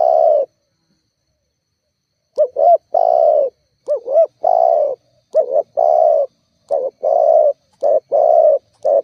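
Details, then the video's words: Spotted dove (tekukur) calling to provoke rivals, used as a lure to make other doves answer. Series of hollow low coos, some with quick doubled notes, repeated in phrases after a short pause; no other sounds. "Suara tekukur GACORR menekan emosi lawan"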